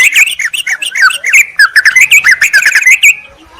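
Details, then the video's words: Yellow-vented bulbul lure call meant to draw wild birds from forest and gardens by calling a rival: dense bursts of bubbly, chattering notes, short and rapid, running almost continuously for three seconds before stopping. "Trucukan memanggil lawan"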